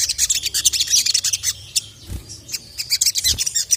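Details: Rapid, piercing high chirps from an emotional sogon summoning a male, delivered in dense bursts split by a brief pause with a soft low thump.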